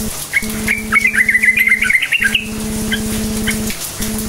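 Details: Bubbly warbling phrase from a yellow-vented bulbul, played to coax silent bulbuls into song: one rapid run of wavering chirps lasting about a second and a half, then a couple of faint notes, over steady machine hum.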